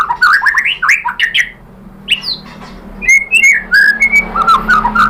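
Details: Provoking song of a white-rumped shama, used to draw replies from other shamas: fast slurred whistled notes, a quiet stretch with a faint hum, then clear rising whistles and warbled phrases.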